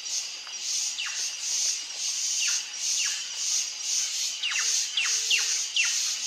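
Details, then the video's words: Plush-crested jay (Cyanocorax chrysops) on a trail gives thin, sharply falling whistled notes, singly or in quick pairs about every second, over a steady high insect hiss. "CANTO da GRALHA-PICAÇA"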